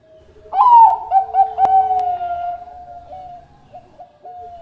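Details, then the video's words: Bangkok-type zebra dove singing, meant as a tutor recording for other doves: an abrupt loud rolling burst of quick pulsed coos that stretches into a long, slowly fading cooing tone, ending with a few brief notes. "Raja Suara Mas Juara Idaman Perkutut Bangkok Gacor Buat Masteran"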